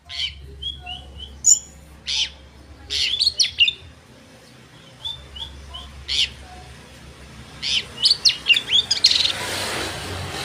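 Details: Oriental magpie-robin song used as a lure to rouse rival birds; scattered sharp chips and short whistles, then a quickening series of bright high notes near the end, with a brief rushing noise.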